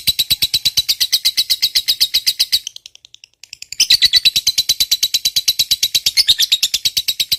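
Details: Lovebird of the fighter type in a long ngekek trill, a rapid chattering used to provoke other lovebirds: dense, even pulses about six per second, two long bursts split by a brief silence.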